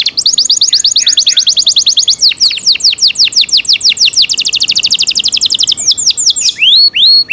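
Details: Caged Yorkshire canary in loud song, a long run of fast repeated high descending notes sliding into sweeping whistles, ending with a few clear rising-falling slurred notes.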